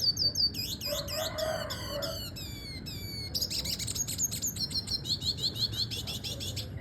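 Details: Red siskin, double dilute mutation, on a tutor recording for training birds: rapid high twittering with repeated downward-sweeping whistled notes, buzzy trills and a steady run of short chirps near the end over low background hum.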